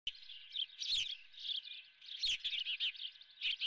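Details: Ospreys at the Dunrovin nest with a live fish for breakfast: dense runs of high, thin chirps repeated rapidly, with sharp louder bursts near one and two and a quarter seconds, over a steady faint hum.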